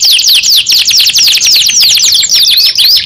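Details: {'text': 'Canary song made of rapid, high, sweeping chirp notes in a dense continuous stream, some notes slurring up and down; loud, close and clean.'}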